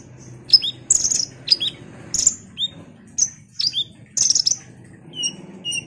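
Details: Ruby-cheeked sunbird singing actively, a lure recording meant to rouse other sunbirds: sharp, very high chirps and thin downslurred whistles in irregular bursts, with a low hum in the background.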